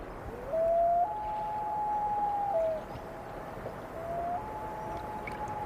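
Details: Common Loon on a North American lake between sunset and night gives a haunting, mournful wail: a long sliding note rising and holding about two seconds, then a second drawn-out rising note over quiet background hiss.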